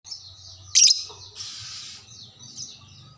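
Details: Lovebird of the fighter type kept as a hobby bird, answering another lovebird after being prompted; high shrill chattering with a loud harsh burst near the start, then a buzzy trill and scattered squeaky notes, low hum underneath.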